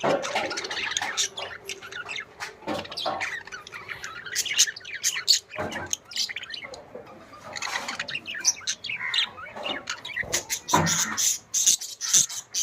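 Budgerigars chatter in a dense stream of squawks, chirps and scratchy warbles.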